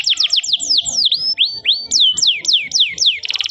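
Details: Canary song from a training recording for young canaries: a fast series of high, sweeping downward-slurred whistles, then longer rising and falling notes, ending in a rapid buzzy trill.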